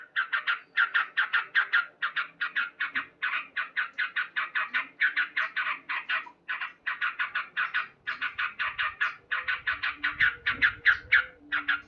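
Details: Male Sooty-headed bulbul singing loudly in the morning, a steady run of short bubbly chattering notes, about two and a half per second, for the whole stretch, with faint low background hum.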